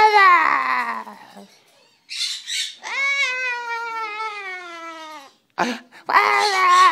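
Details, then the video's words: Cockatoo doing its "wazzup" imitation: a long, strained, harmonic wail that slowly falls in pitch, preceded and followed by harsh, breathy squawks. "Cockatoo doing wazzupp"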